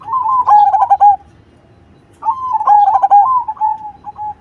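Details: Cemani zebra dove in strong song gives two coo phrases roughly two seconds apart. Each is a quick burst of clipped, bubbling notes that trails into a level, fading coo.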